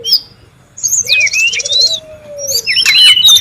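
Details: Wild brown-chested jungle flycatcher in busy calling, a lure and training sound: sweeping high whistles and fast trills alternating with a long, low, slightly rising whistle, several voices overlapping.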